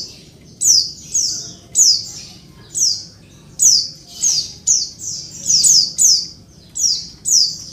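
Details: Female Oriental white-eye calling to provoke males into answering: high, buzzy descending notes, each starting with a sharp downslur then a short flat buzz, given singly or in quick pairs roughly every half second, over faint low background hum.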